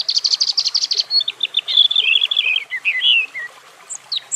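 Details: European robin opening with a fast, even stutter of high notes, then sliding into descending warbled twitters and whistles, ending in thin high squeaks.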